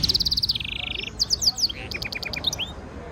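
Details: European goldfinch mule hybrid delivering stimulation song used for training: a quick stuttered trill drops into a steady buzzing roll, then sparkling high notes and a clipped series of sharp repeated chips.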